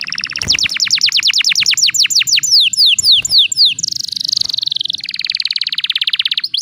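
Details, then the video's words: Canary song played to provoke rival birds: a rapid run of downward-sweeping whistles slowing into wider spaced notes, then a long buzzy rolling trill. "PANCINGAN KENARI BAHAN🔴 PERANGSANG EMOSI LAWAN"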